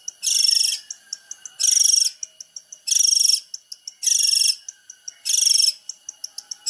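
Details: Long-tailed shrike training song: repeated harsh, buzzy, wide-band bursts near half a second each, spaced about every 1.2 seconds, separated by faint high clicks and ticks.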